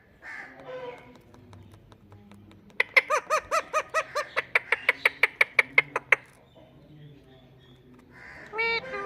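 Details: Indian ringneck parakeet, a talking parrot, giving a rapid run of about fourteen sharp, bright, evenly spaced notes over roughly three seconds, with softer harsh calls before and after and faint background music and laughter.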